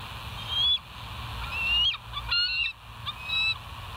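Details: Bald eagles at West End on a live nature cam, morning of 21 September 2023 at 06:55: several high, squealing whistles slurring upward, broken by chittering staccato notes in short bursts, with a constant low background hum.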